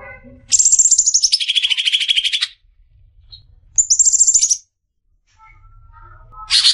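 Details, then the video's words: Greater green leafbird, a prospective champion, in a tutoring recording: a long buzzy trill that falls from very high to mid pitch, a short high trilled phrase after a pause, and the start of another burst. "masteran suara burung cucak ijo calon juara"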